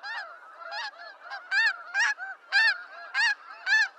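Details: Snow goose calls from the wild in eastern North America: distinct loud barking honks about twice a second over a softer background of flock chatter.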